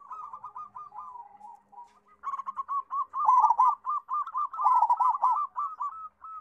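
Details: Local zebra dove with a big voice, kept as a song tutor for young doves, giving a soft low coo that builds into loud, rapid, rhythmic cooing notes in a steady run.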